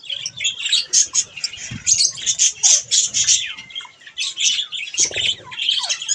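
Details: Budgerigars (Melopsittacus undulatus) at bath time, chattering in a steady stream of high, scratchy warbles and chirps pulsing about twice a second, with faint splashing and low thumps underneath.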